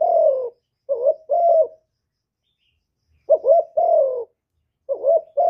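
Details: Spotted dove in the hạp bổi voice style, recorded live without background noise: groups of short hooting coos followed by a longer, slightly falling coo, with silent gaps of over a second between groups.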